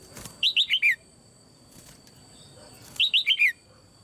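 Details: Red-whiskered bulbul, a female kept in a cage, calling to set other birds singing. Two matching phrases about two and a half seconds apart, each four crisp, rising-then-falling whistled notes stepping lower, with a faint hum beneath.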